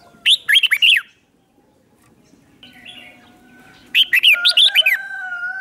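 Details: Lure red-whiskered bulbul calling in wild birds without background noise: a crisp phrase of fast, looping whistles, a pause with faint notes, then a second bright phrase trailing into a steady tone.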